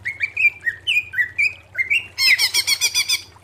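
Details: Greater green leafbird song for training cage birds: a chain of short whistled notes rising and falling, ending in a fast harsh rattling series, with a low background hum.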